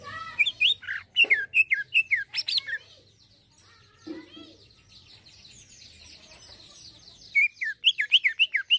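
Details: Fine 'isian halus' song of an actively singing greater green leafbird. Rapid slurred whistles swoop up and down in quick succession, pause, and are followed by a softer twittering stretch before a fresh run of bright, looping whistled notes.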